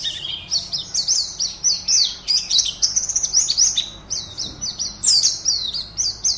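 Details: Oriental white-eye, a caged contest bird from Pontianak, West Kalimantan, singing as online entrant 52. It produces a sustained stream of quick, high, downslurred chirps, rhythmic and tightly packed, pouring on without a break.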